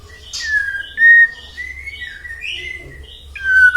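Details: White-rumped shama song meant to provoke other shamas to sing: drawn-out, smooth whistled notes at a steady pitch, gently rising and falling, with a final down-slurred whistle.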